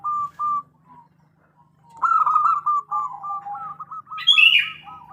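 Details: Female zebra dove of local type calling the male as a lure: two isolated coos, a pause, then a rapid rolling series of coo notes with a high whistled note near the end.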